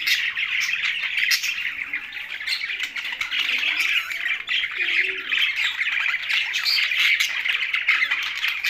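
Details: An aviary of budgerigars and parrots in Larkana, Sindh: a dense, unbroken wall of chirps, squeaks and warbled chatter, with faint low coos now and then.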